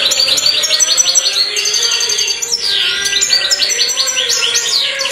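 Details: Black mutation European goldfinch singing a rapid, continuous twitter of high, tinkling and buzzy notes, with quick rising and falling slurs and a brief pause near the middle, over a faint low steady tone.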